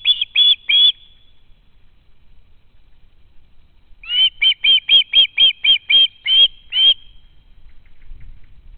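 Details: Juvenile ospreys still hanging around the nest in August 2013, begging food from their parents: three sharp whistled screams, a pause of about three seconds, then a rapid burst of roughly eleven more.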